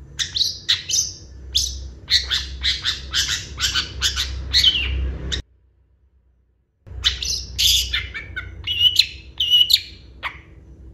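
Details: Long-tailed shrike in vigorous, mimicry-rich song: a rapid string of scratchy, high chattering notes, a short silent gap, then more chatter with twisting whistled phrases, over low background rumble.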